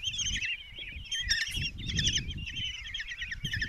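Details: Common kestrel chicks, five young in a nest box in Tiszalök, Hungary, on June 27, 2024, as the mother brings a mouse for breakfast: overlapping harsh, wavering chittering and trilled begging calls, continuous, with low rumbling noise beneath.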